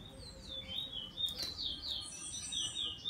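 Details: Bullfinch in a morning tryout of its song: a soft, continuous high twittering of short slurred and warbled notes, some falling, some rising, running for about three seconds over a quiet background.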